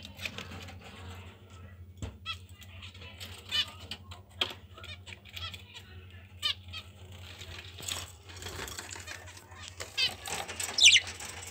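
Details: Budgerigar chicks, 1 to 10 days old, from a pair's third brood give thin, high squeaky peeps between sharp clicking and tapping noises.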